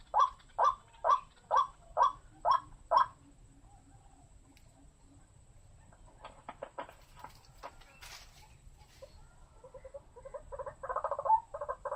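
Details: White-breasted waterhen giving six loud, evenly spaced croaking notes about twice a second, then quieter scattered clicks and a softer rasping chatter toward the end.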